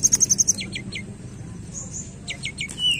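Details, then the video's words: Lure song of a tledekan for prompting a silent bird: a burst of five high ringing notes, then descending slurred whistles repeated in threes, over a steady low background hum. "Pancingan tledekan malas bunyi"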